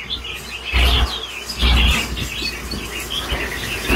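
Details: Mature red-whiskered bulbul with super 'lân bổi' singing: scattered sweet chirps and short warbled phrases, some slurred downward, over steady background hiss and occasional loud low thuds.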